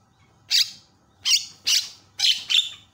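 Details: Javan myna giving loud calls meant to provoke other mynas into calling: five harsh, high, noisy bursts, each about a tenth of a second, in two loose groups over three seconds, with a faint low hum beneath.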